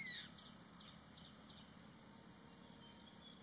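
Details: Indian pitta; alarm call; alarm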